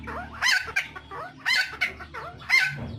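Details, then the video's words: Helmeted friarbird, endemic to Nusa Tenggara, giving harsh, gurgling bursts of squawky notes about once a second, with a steady low rumble underneath. "BURUNG PURBA CUCAK TIMOR , ( Philemon buceroides) atau koak kaok , masteran versi panjang"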